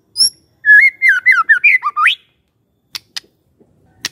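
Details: Magpie-robin song played as a lure to make a quiet bird start singing: a high opening note, then a rapid chain of warbled whistles ending in a steep rising slur, followed by scattered sharp ticks.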